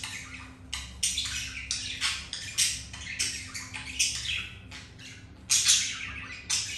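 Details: Captive budgies during mating, the male mating with a hen after rejection by a white-grey budgie; continuous scratchy warbling chatter of rapid noisy chirps and squawks with brief pauses, faint steady hum in background.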